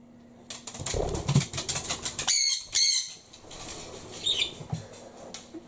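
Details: A pet male sun conure gives two harsh, shrill screeches in quick succession, then a thinner squawk, after a burst of fluttering wingbeats, overjoyed as his owner comes home; room noise underneath.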